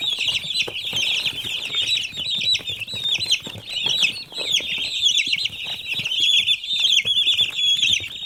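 A crowd of baby chicks peeping nonstop, a dense chorus of high, thin cheeps overlapping with no pauses.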